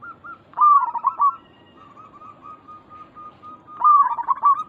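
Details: Local zebra doves calling to lure others into answering: a loud bubbling, stuttered coo phrase, a long run of faint even coo notes, then another loud warbled phrase at the end.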